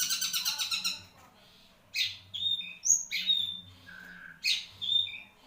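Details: Caged long-tailed shrike of the Marlboro type, kept as a songbird, singing: a fast run of harsh repeated notes, then scattered loud buzzy bursts and short high whistles, with a faint low hum beneath.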